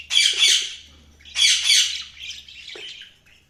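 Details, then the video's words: Budgerigars chirping with two loud scratchy, squawking warbles about a second apart, followed by a softer trailing chatter that fades out. "budgies chirping sound"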